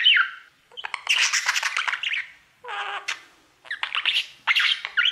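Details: Male pet budgerigar singing to his mirror: bursts of dense scratchy chattering warble with squeaky whistles and a falling note, separated by short pauses.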